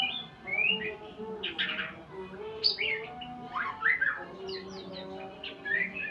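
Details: Shama learning new sounds: rising whistles, buzzy chatter and sharp descending notes in separate bursts, over a soft continuous low humming background.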